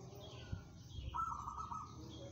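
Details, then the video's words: Local zebra dove, described as steady-tempered and suited to song competitions, giving one short bubbling, slightly wavering coo phrase held at a steady mid pitch for under a second, with low background rumble. "perkutut lokal bermental baja, cocok buat lomba"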